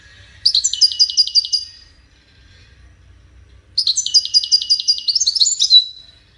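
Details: Widani song of a European goldfinch, played for chicks to learn: two bright, ringing phrases of fast, repeated high notes, each over a second long and separated by a silent gap.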